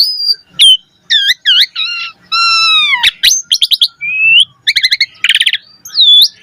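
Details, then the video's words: Black-collared starling singing a rich, varied song used to train other starlings: clear whistles, rising and falling slurred notes, buzzy harmonic phrases and rapid chattering bursts, loud and close with no other sounds. "Pancingan Jalak Suren Agar Burung Jalak Cepat Gacor Isian Mewah"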